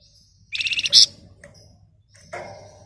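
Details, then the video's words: Flamboyan with a tight chattering phrase of about eight rapid, buzzy high notes ending in a louder squeaky peak, followed later by a single rougher harsh note. "Burung Flamboyan Ngebren Rapat Nyerecet"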